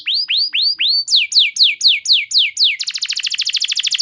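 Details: Canary song played as a lure to train other canaries to sing, with long sustained bursts: four rising swept whistles, then seven falling slurred notes, ending in a fast, even trill of about twenty short notes. No other sounds are heard.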